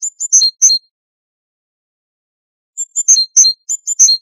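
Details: Great tit, a garden bird whose song is said to resemble striking metal, giving short clipped high notes in two clusters separated by nearly two seconds of silence.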